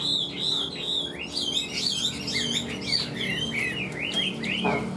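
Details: Chinese hwamei kept in a cage out in the sun, pouring out loud, clear whistled phrases. High arched and looping notes follow one another rapidly, about two a second, with a brief click near the end.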